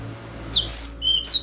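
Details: Short burst of yellow-fronted canary song: a piercing downward-slurred whistle, a long high level note, then a lower whistle and another sharp falling slur, all rich and clear.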